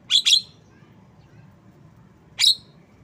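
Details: Two quick harsh, buzzy notes from a Javan myna, then a single similar note two seconds later, over quiet low background noise.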